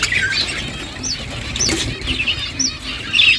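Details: Budgies chirping while feeding, soft warbled chatter with a few clear upswept squeaks spaced about half a second apart over a hissing background.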